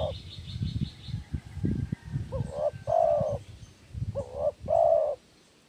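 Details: Spotted dove lure call: two coo phrases, each a short note then a longer soft coo, over low thumping and knocking noises and faint high chirps at the start.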